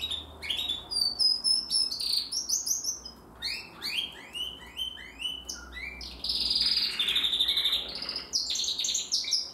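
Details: A 2020 Timbrado canary, still young, works through its song: chains of quick downward-sweeping notes, then buzzy rolled trills and bright chirps, with small gaps between bursts.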